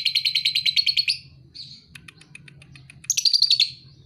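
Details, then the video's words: Young lovebird, about two and a half months old, kept as a pet and described as a fighter, sings in rapid, shrill chattering trills in two bursts, one of about a second and a shorter one later, with faint scratchy notes between and a low background hum. "Lovebird paud 2,5bulan Fighter abiz!"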